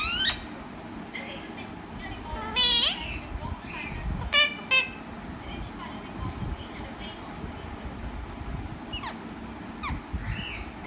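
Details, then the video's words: A green parrot gives harsh, harmonic squawks and a few sharp chirps at irregular intervals over a steady low traffic-like rumble. "green parrot with natural sounds"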